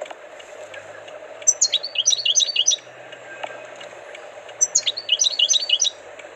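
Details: Two clear phrases from a tutored European goldfinch, each a fast run of bright, bouncing high notes lasting around a second, with a quiet interval between them.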